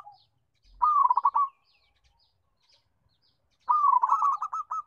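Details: Local zebra dove with a big, melodious voice sings two bursts of rapid, rolling coos, each opening with a drawn note and breaking into quick staccato pulses, separated by a few seconds of silence.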